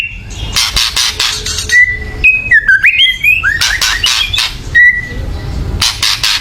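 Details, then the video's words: White-rumped shama in loud, agitated chatter used to provoke singing: gritty rattles interleaved with clear whistled notes, some flat, some zigzagging up and down. "kretekan keras murai / menaikan emosi agar bunyi"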